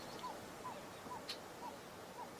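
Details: Young pied-billed grebes (at least four, likely five) were present, with black and Caspian terns nearby; another pied-billed grebe gives soft, hollow 'wop' notes, about two per second, over a steady outdoor hiss with a couple of sharp clicks.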